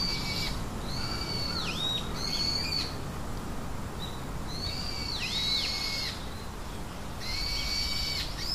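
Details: Three young birds in a nest beg, giving loud clear whistled calls that rise, bend and fall, grouped in bursts about every two to three seconds, over a steady broad background hiss.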